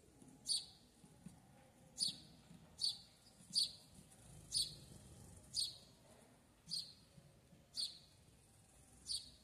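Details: Sayaca tanager in a backyard, giving sharp, very high, thin clipped call notes repeated singly about once a second, nine in all, over a faint low rumble of background noise.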